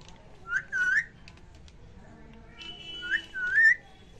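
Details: A pet ringneck parakeet talking in Hindi, saying words like "mittu" and "mummy", gives two whistled, word-like phrases about two and a half seconds apart, each a quick rising-and-falling warble, with faint household background.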